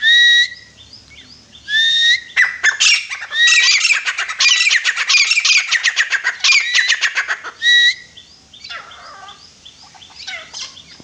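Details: Grey francolin calling: a dense run of harsh, rapid, upward-sweeping notes, several each second for about five seconds. Steady, flat, high whistled tones come before and after it, with a few sharp clicks between them.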